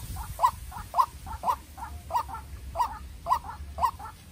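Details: White-breasted Waterhen, a young decoy bird, battling a wild rival: steady paired croaking notes, a strong harsh call then a quieter one, repeating roughly every half second over a faint low hum.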